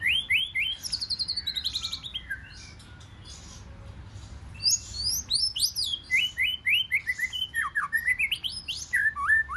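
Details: Wild-caught white-rumped shama giving forest-style fighting song: fast runs of sweeping whistles and rapid trills, high chattering notes, a quieter gap mid-way, then rising and falling whistled phrases repeated quickly; low background hum.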